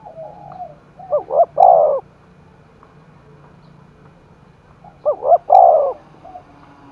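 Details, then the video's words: Two strong coo phrases from a spotted dove incited to fight in Đồng Nai, each two rapid notes and a long mellow coo, about four seconds apart, over a low hum. "cu gáy thúc đấu vang cả núi rừng đồng nai, cu gay kich boi nhanh noi gù"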